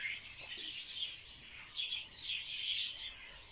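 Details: Barred warbler performing a mating dance, giving a harsh, buzzy, rapid chatter in uneven bursts that rise and fall, high-pitched and unbroken across the moment.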